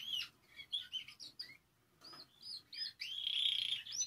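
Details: A Spanish timbrado canary sings fast, varied phrases of high chirps and slurred notes, ending in a sustained rolling trill; song used for training young birds. No other sounds.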